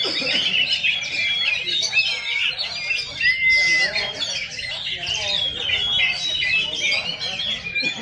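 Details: Competing shrikes at a singing contest deliver rapid, scratchy chatter with quick trills and one clean drawn-out whistle midway, several singers overlapping while people talk in the background.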